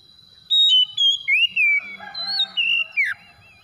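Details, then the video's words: Oriental magpie-robin lure song to get silent magpie-robins singing; loud series of whistled slurred notes ending in a falling sweep, with softer lower drawn-out tones mixed in midway. "SEKALI PANCING KACER SUSAH BUNYI LANGSUNG ON IKUT GACOR"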